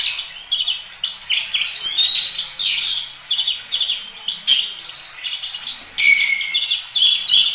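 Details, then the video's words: Oriental magpie-robin in lively full song, pouring out rapid sequences of sweet whistles, trills and sharp chirps, rising and falling, with brief pauses between loud bursts. "Kacer langsung gacor moncer"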